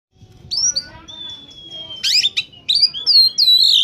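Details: Oriental magpie-robin in peak singing form, used as a lure for catching wild birds: a long steady whistle near 3.5k sliding slightly down, then bursts of sharp rising and falling whistled notes and buzzy trills.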